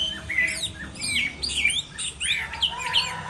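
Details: Chinese hwamei in a singing duel during moult: loud, looping whistled notes with sharp upward and downward slurs, delivered in quick clusters.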